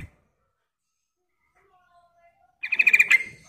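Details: A female yellow-vented bulbul's call to the male, used as a lure: silence, then a single fast burst of bright, closely repeated chattering notes lasting under a second.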